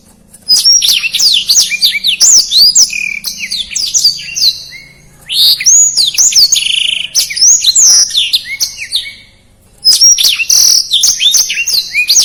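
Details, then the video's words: A Black-throated Canary sings in three long bursts of fast, dense, high twittering trills and sweeping whistles, with brief pauses between them; a song used as training material for other songbirds. "Suara Blackthroat Gacor Speed Rapat"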